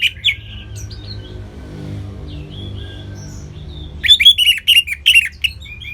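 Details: Orange-headed thrush kept in a cage in northern Bali, a short whistled phrase, a quiet stretch with faint thin notes over low hum, then a burst of quick varied chirping notes.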